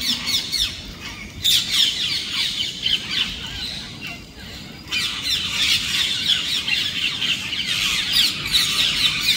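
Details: Parrots squawk loudly within a housing society: grating, high calls repeat rapidly in uneven runs, with brief pauses between clusters. Constant low ambient hum sits underneath.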